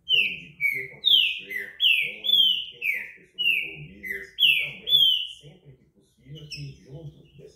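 Green-winged saltator singing clear, slurred whistled notes, mostly falling, about two per second for five seconds, over a murmur of television speech.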